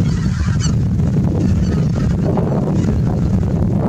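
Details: Early morning in autumn 2020 at Miyajimanuma marsh, Japan: Greater white-fronted geese coming back after leaving their roost, giving a continuous, crowded babble of honking calls against a thick low-pitched roar.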